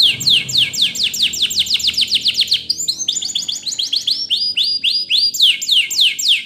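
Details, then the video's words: Training song of a Spanish Timbrado canary, rapid series of sweeping downslurred notes repeated several times a second, switching to rolling metallic trills and back again. "Your Canary Will Not Stop Singing With This Training Song"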